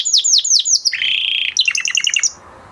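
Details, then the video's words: Male canary singing: fast descending whistled notes repeated about six times a second, then a buzzy steady trill, then a rapid chattering phrase of short rising-falling notes. "Beautiful canary song اواز زيباي قناري نر مست"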